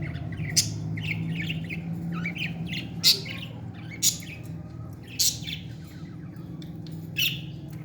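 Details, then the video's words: Parrot chick being fed, giving harsh, squawky chirps at uneven intervals with softer chattering notes between them, steady low hum underneath. "beautiful parrot 🦜 baby feeding"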